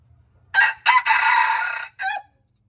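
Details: Crow of a red junglefowl. Two brief harsh syllables lead into one long, steady, buzzy note, and a separate short closing note follows. A soft low drone sits underneath.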